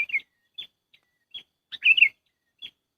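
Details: Lure call of the sooty-headed bulbul (kutilang) for bird trapping: scattered short high chips, then a richer bubbling warbled phrase near the middle, with no other noise.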